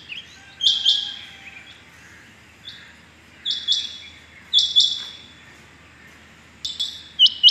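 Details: Rain quail calling on the morning of 6 July 2021: sharp, high, doubled metallic notes in short bursts at irregular gaps, separated by quieter stretches with faint background hiss.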